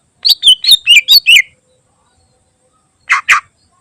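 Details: A quick phrase of bright, wavering, slurred whistles from a greater green leafbird, sung as a training recording for other birds, followed after a pause by two short harsh rasping notes.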